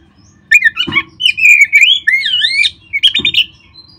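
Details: Oriental magpie-robin song used to trigger singing in caged birds: loud rich whistles with long looping slurs and sharp chips in a continuous varied phrase.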